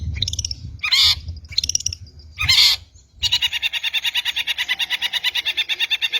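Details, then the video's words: Long-tailed shrike song played to lure shrikes: loud harsh rasping bursts repeated irregularly, then a sustained fast grating rattle for about three seconds. "PANCINGAN MASTERAN PIKAT BURUNG CENDET"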